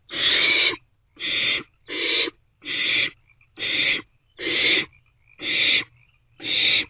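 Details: Barn owl chicks in a nest box in the early morning darkness of 27 March 2024, sharing a vole. Eight harsh, noisy hisses repeat at a fairly even pace, roughly one a second.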